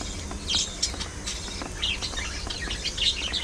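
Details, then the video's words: Budgerigars kept as pets, chattering while they play, fight and groom: scattered high squeaky chirps and short warbled notes at irregular intervals, with faint clicks and a steady low rumble beneath. "Budgies Being Budgies: Non-Stop Fun, Fights, Love & Chirpy Chaos!"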